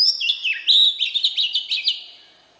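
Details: Oriental magpie-robin, wild-type voice, sings a fluid phrase: a high opening whistle, a swooping downward slur, then a fast series of clipped, rhythmic whistled notes before fading.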